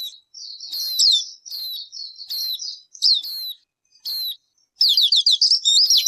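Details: Bird calls: repeated short sharp high clicks with softer whistled notes between them, spaced about every half second, ending in a fast burst of falling whistles.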